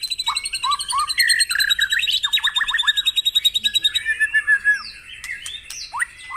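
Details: White-rumped shama singing for a morning session that stirs caged birds: low looping whistles give way to a long, even string of rapid pulsed notes, then a few clear slurred whistles and sharp chips.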